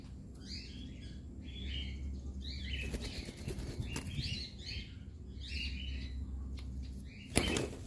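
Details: A cockatiel at bonding time gives short, bright chirps in quick clusters over a steady low hum.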